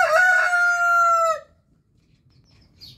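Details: Orpington or Marans rooster giving a loud, steady crow of about one and a half seconds, its rich harmonic tone held level before cutting off, followed by quiet with a faint chirp.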